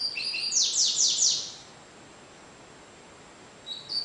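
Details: Double-collared seedeater song in the Cigano style. Thin level whistles lead into three or four loud, rapid descending buzzy strokes, followed by about two seconds of quiet. Another phrase starts at the end.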